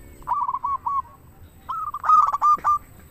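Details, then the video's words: Zebra dove, local type, singing steadily as a lure for other doves: a short run of even coo notes, then a louder, faster stuttering burst ending in clipped coos. "Perkutut lokal gacor suara paling ampuh untuk pancingan burung perkutut agar bunyi"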